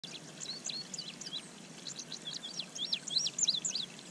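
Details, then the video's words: Male indigo bunting singing in spring, May 25, 2023, as he approaches a bird pond to bathe: a rapid string of thin, high sweeping notes, many paired, rising and falling over a steady soft outdoor hiss. "Indigo Bunting Singing in the Bath ~ Indigo Bunting Bird Song"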